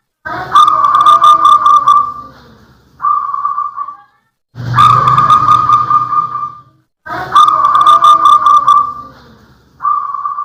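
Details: Local wild-type zebra dove, a strong singer kept to lure wild doves and to stir lazy birds that stop singing in the rainy season; three loud, rolling cooing phrases, each ending in a short separate note, repeated every three seconds.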